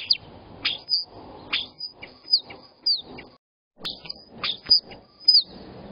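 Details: A common starling, flapping its wings while calling in Berkshire, UK, on 22 March 2022, gives short high chirps and quick sliding whistles, roughly two a second with a brief pause, over a soft fluttering rustle.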